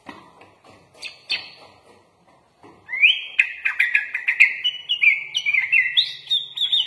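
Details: Sooty-headed bulbul, a lively bird singing with a full set of mimicked phrases, recorded as a training master for cage birds. Faint scattered chirps come first, then from three seconds a rapid run of bright warbled and slurred whistled notes.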